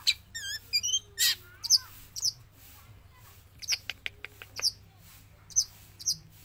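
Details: Javan long-tailed shrike, a trained bird singing non-stop both inside its cage and released from it, gives a varied run of sharp high chirps, quick trilled whistles and short squeaky notes in separate bursts, with a steady low hum behind.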